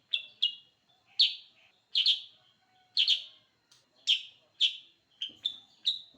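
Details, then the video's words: Sooty-headed bulbul giving short, sharp, high chirps, singly or in quick pairs, repeated about every half to one second against an otherwise quiet background. "Suara Burung Kutilag Sutra Super gacor"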